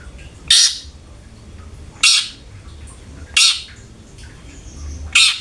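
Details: Long-tailed shrike, a kept bird, with a lure recording meant to make it sing: four harsh, broadband rasping notes spaced about one and a half seconds apart, with a low hum underneath.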